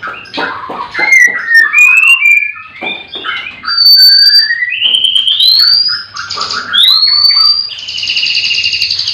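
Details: White-rumped shama (murai batu) singing at a breeding farm in the morning, with caged birds all singing. Clear whistled phrases rise and slide upward, mixed with rapid chattery notes and a few sustained high tones, and other birds faintly behind.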